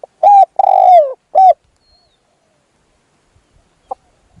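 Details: Decoy spotted dove calling to lure a wild bird: a clipped coo, a longer sliding coo that drops in pitch, and a brief closing coo, then quiet with faint distant ticks.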